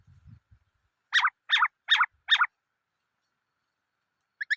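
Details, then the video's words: Black-throated laughingthrush giving four loud, harsh, chopped phrases about half a second apart. A short low rumble comes before them, and two brief higher notes follow at the end. "Noog Sab Hwj Quaj Dib Tuaj Zoo Heev {นกมะเกลือร้องเพลงNk makelụ̄x r̂xngphelng}"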